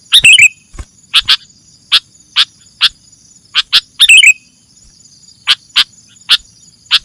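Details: Sooty-headed bulbul sound for luring birds: two brief warbled twitters among many sharp, evenly spaced chip notes, with a faint constant hum high above.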